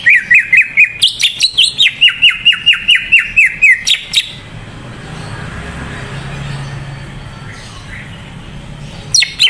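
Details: Greater green leafbird song used as a lure to make less active leafbirds sing: a fast run of about twenty sharp, down-slurred chirps repeated at an even pace, then near quiet with faint background hum.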